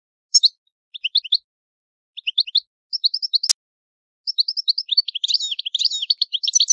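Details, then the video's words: European goldfinch from Italy singing the old-style song called 'vecchio canto': short bursts of high twittering notes separated by pauses, building into a denser chattering run near the end, with one sharp click midway. "Il canto del cardellino italiano ,il vecchia canto"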